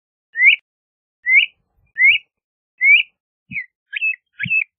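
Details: Rising whistled notes from a LeConte's thrasher, repeated four times about once a second, followed by shorter, quicker twisting notes and faint low thumps.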